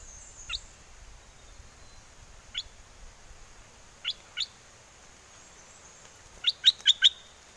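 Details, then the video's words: Bulbul kept as a cage bird, singing in a wild forest-song style and calling a mate in Chana, Songkhla, southern Thailand, during a windy spell. Sharp rising chirps sound one by one, then a quick burst of four bright notes near the end. "Burung merbah lekir hoach thom gacor bahanan"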